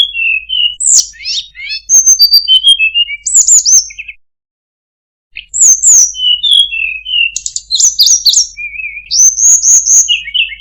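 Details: Tledekan gunung (Sunda blue robin) song, described as very melodious with fine phrasing: rapid high whistled notes and slurred downward trills in two bursts separated by a one-second pause, no other sounds.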